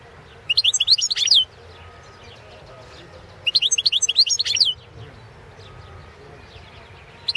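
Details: Competition song of a Balkan goldfinch for the 2017 world championship; two bursts of fast, tinkling, twittered phrases about three seconds apart, with a quiet background between them.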